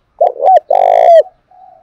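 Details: Spotted dove from Đồng Nai, kept as a lure for provoking and training decoy birds, giving a loud fragment: a short coo, a level coo, then a long rolling note falling away, with a faint soft coo after a pause.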